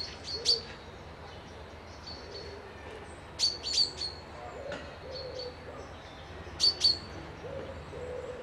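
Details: Birds calling at a peaceful loch-side lodge in Dundee, with bright high chirps in quick pairs and triplets spaced a few seconds apart, and gentle low coos drifting underneath.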